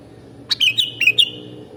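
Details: Sooty-headed bulbul (kutilang) mastering song: a chattering phrase of about five whistled notes with crisp clicks between them, rising and falling quickly within under a second, with a soft low background hum.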